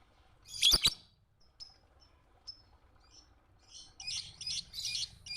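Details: Lovebird sounds meant as an early training recording for other birds: two sharp, loud high chirps, then soft faint ticks, followed by a run of rapid buzzy high chattering notes.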